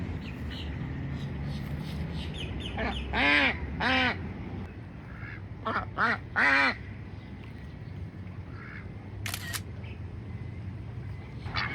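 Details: Female Pekin duck calling loudly non-stop while swimming in Florida to attract a male for courtship; after soft murmurs, three bursts of loud nasal quacks, each a few quick notes, then quieter calls and background hum.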